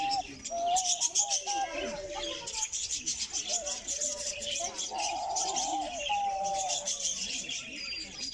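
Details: A diamond dove recorded close up gives soft, drawn-out cooing notes that waver and bend, over a steady background of high chirping from other small birds.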